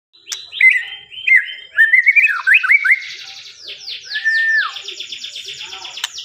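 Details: White-rumped shama in full song: loud, varied whistled phrases with sharp upward and downward slurs, followed by rapid rasping trills and a long steady whistle, delivered continuously without pause.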